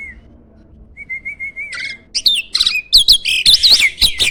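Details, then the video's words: Starling known as a contest champion with a loud, emotional song, used to train other songbirds: a level thin whistle, a pause, then accelerating harsh buzzy notes and looping whistled phrases that grow louder. "MASTERAN BURUNG JALAK SANG JUARA!!"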